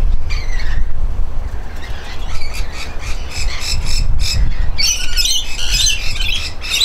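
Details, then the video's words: Bathing rainbow lorikeets give harsh screeches amid splashing and rustling noise, quieter at first, then a loud cluster of shrieking notes near the end. "Ranbow Lorikeet having a bath"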